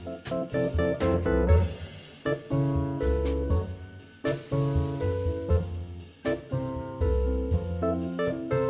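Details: Jazz-style music with piano chords, a keyboard and a drum kit keeping a steady beat; no animal voices are heard.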